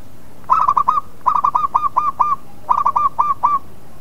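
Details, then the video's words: Zebra dove, a local bird, singing a lure song meant to provoke others to reply: three rapid phrases of rolling coo notes, each phrase a stuttering series of short falling whistled notes, repeated roughly every second. "Pancingan Perkutut Lokal Lawan Pasti Emosi Putar Sekali Langsung Nyaut"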